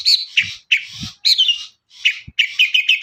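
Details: Long-tailed shrike song played to coax other birds to sing, made of harsh buzzy phrases broken by brief silences, then a quick run of repeated chirps; a few low knocks.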